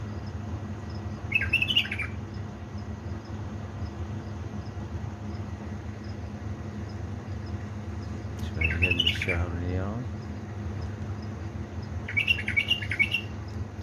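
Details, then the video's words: At three in the morning, 19 August 2020, a kept bulbul from Diyala's Baladruz gives three short chattering warbles spaced several seconds apart, one overlapped by a human voice, over constant hum. "أجمل واحلى تغريد من طيوري علاوي نهروان من بلابل ديالى بلدروز"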